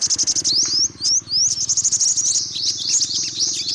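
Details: Continuous fast high twittering of an olive-backed sunbird, rising slurred notes strung together at a rapid pace, over a low steady hum.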